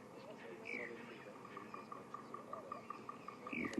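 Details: Bearded woodpecker tapping at sunrise on safari in South Africa, in an even run of about five knocks a second, with two brief falling whistles, likely distant chinspot batis, and faint voices.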